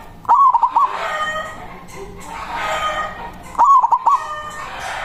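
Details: Local zebra dove with a loud voice, used as a lure to call a rival: two stuttering cooing phrases, each a quick run of short clipped notes, separated by about three seconds of hissy background.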